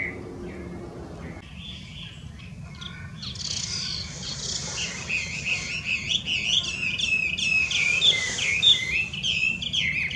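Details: An invasive wild Chinese hwamei in Japan starts quietly, then bursts into loud, fast song of varied whistles and repeated slurred notes that keeps building in intensity.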